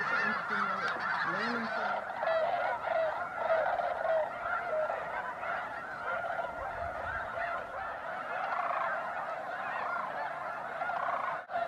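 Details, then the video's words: Snow geese in large numbers at Bosque del Apache refuge in December, sunrise or sunset, keep up a constant honking chorus; a few clear repeated higher honks stand out early, then the din continues evenly. "Snow Geese Sunset and Sunrise"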